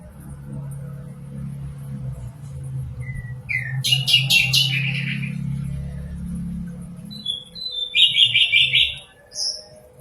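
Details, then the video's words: Common nightingale singing in short bursts: a brief rising whistle, a rapid run of loud pulsed notes, then a fast rattling trill, over a low steady hum. "Sikatan Londo (Nightingale Common) Suara Jernih Merdu & Mewah"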